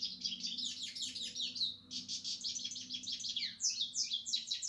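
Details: European goldfinch sings a fast, bright twittering medley of short chirps and buzzes, with a brief pause near two seconds and then a rush of higher, sharper notes, over a faint low hum.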